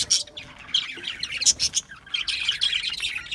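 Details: Several budgerigars chirp and warble in quick, high, buzzy notes, with sharp whistled peaks scattered through the busy chatter.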